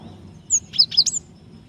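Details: Female Java sparrow calling the male to provoke song: four quick high chirps, slurred and whistled, in a brief burst over faint background hum.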